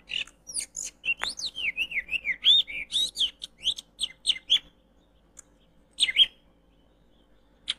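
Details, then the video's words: Lure sound of an oriental magpie-robin for bird trapping in Indonesia: a quick run of clear whistled and slurred notes, rising and falling, followed by a few scattered sharp chirps separated by silent gaps. "Mikat kacer disini Mudah banget.!!"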